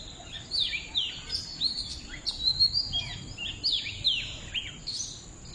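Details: Birdsong in nature: several birds trade quick high chirps and short downslurred whistles, overlapping in bursts every half second or so, over a steady thin high whine and faint low background rumble.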